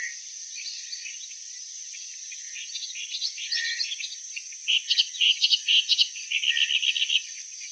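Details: Clamorous reed warbler: quiet scattered notes build into a loud, fast, rhythmic chattering series near the end, with a persistent high insect-like drone throughout.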